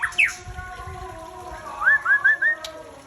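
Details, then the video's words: White-rumped shama of the Aceh type, a breeding bird; a sharp downward whistle, a pause, then four short clear rising whistles repeated in quick succession, with steady low background hum. "Murai Aceh"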